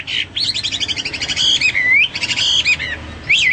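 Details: Hwamei song of fast repeated buzzy notes running into a smooth rising slur, followed by more rapid bright figures and a final high whistle.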